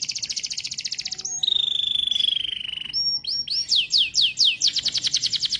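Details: Singing canary delivering a fast buzzy trill, a long steady whistled note, then a run of sharp down-sweeping notes repeated in quick rhythm, over faint low hum.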